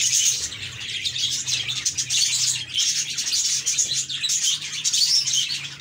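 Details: Several cheerful pet budgies chirp at once, producing a busy, unbroken wall of high twittering, scratchy warbles and short sharp tweets that swell and ease slightly, over a faint low hum.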